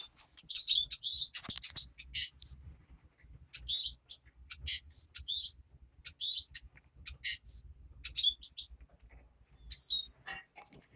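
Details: Young European greenfinch in the nest producing a steady run of high, clipped cheeps and downslurred chirps, one every half second or so, over quiet low rustling.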